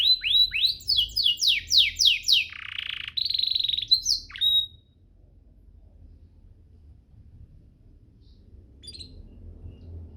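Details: Canary singing as master material for training birds: a series of rhythmic downslurred chirps, a buzzy roll and a whistled ending, then near silence with a faint distant chirp.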